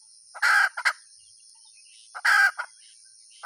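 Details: Two rough, loud hen squawks followed by quick, sharp after-notes, with a third call beginning at the end, all over a continuous faint high whine.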